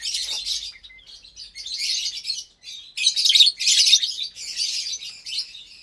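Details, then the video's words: Lovebird colony, roughly 25 caged birds with mated pairs and chicks, at meal time in January 2023; loud continuous shrill squeaky chattering in repeated bursts, many birds calling over one another. "Lovebird Meal Time"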